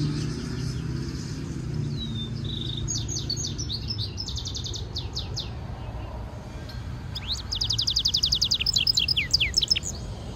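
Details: Hybrid European goldfinch mule giving a stimulation song for training: scattered high chirps and twittered phrases, a quiet pause midway, then a fast, dense trill of repeated sharp notes, with steady low background rumble throughout.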